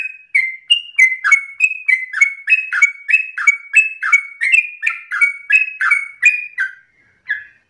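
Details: Rapid 'ropel' song of a sooty-headed bulbul singing insistently: clear whistled notes tumbling downward in quick pairs, delivered nonstop for about seven seconds before trailing off into a short pause.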